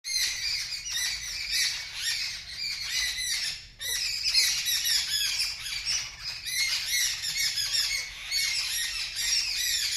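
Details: Birds scream loudly in response to a kitten making a strange sound at them: a crowd squawks and screeches without pause, harsh overlapping high-pitched cries with only a brief gap near four seconds. Bird.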